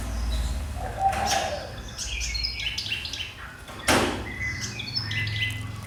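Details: Caged fantail, kept a year in a large cage, singing: bright, high chirps and short twittering phrases in bursts, with one loud knock midway and low background hum.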